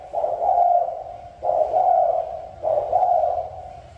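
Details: Low, husky cooing of a mountain-region spotted dove, three drawn-out notes spaced a little over a second apart, each fading at its end.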